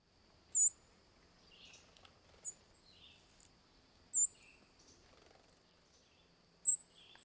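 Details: Song Sparrow contact calls: two birds communicating back and forth, one off in the distance, giving tiny, very high, thin tiss notes, four louder ones a few seconds apart, with fainter high chips between.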